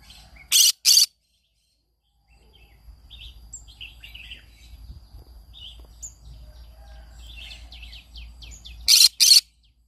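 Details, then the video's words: Green-cheeked conure's morning calls: two harsh, raspy squawks open the sequence and another pair closes it. Between them comes a stretch of quieter, scattered high chirps and twitters over a low background hum. "I sing every morning Aren't you bored? green cheek conure"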